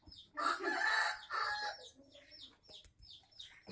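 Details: Tame red junglefowl from Aceh crowing: a loud, hoarse, broken crow of about one and a quarter seconds in two harsh bursts, followed by quieter high chirps from small birds in the background.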